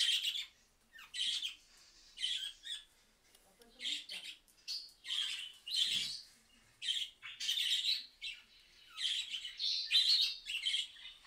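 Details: Budgerigars calling in reply to a mobile phone recording: repeated harsh, high squawks and chirps in short bursts about once a second, somewhat faint, with several birds overlapping.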